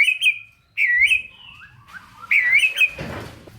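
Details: Lazy shamas are prompted to sing by this White-rumped shama song of rich slurred whistles given in separate phrases, each wavering then falling, with a soft rustle at the end.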